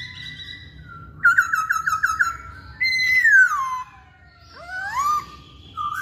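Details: Masked laughingthrush song used as a lure to provoke other birds into singing: a trill of rapid repeated whistled notes, then a long clear whistle sliding downward, and a rising whistle ending in a short upward note.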